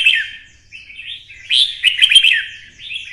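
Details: Red-whiskered bulbul stimulated into fighting song, twisting 'giọng xoắn' voice, Vietnam. A brief, lively string of slurred whistles rises into a dense, loud, twisting flourish midway. A faint hum lies below.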